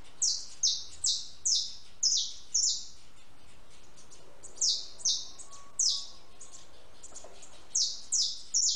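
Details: At a backyard feeder where it eats and drinks, a house sparrow gives bright descending chirps in irregular bursts of two to five notes, separated by pauses of a second or more.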